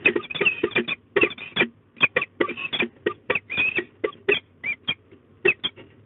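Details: Female peregrine falcon at De Mortel, Netherlands, screaming at a strange falcon during a consultation between the pair, 24 March 2022 at 16:11: harsh, rapid, grating kek notes in bursts, a few per second.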